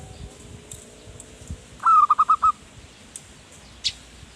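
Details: Perkutut, or zebra dove, singing manggung as a lure for wild birds: a single short burst of five quick, slightly falling cooing notes, with faint ticks and a low background murmur.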